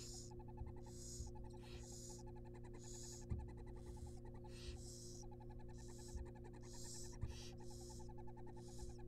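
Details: Young wild barn owls in a nest box during a rabbit feeding give a run of harsh, breathy hisses, some overlapping, with fast clicking pulses between them and a constant low hum underneath.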